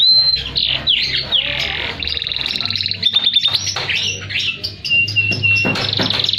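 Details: Singing canary, a recording meant as a master to prompt silent canaries into song: a long varied run of pure whistles, rattling trills and rolling buzzy phrases shifting rapidly, loud and high, over a low steady hum.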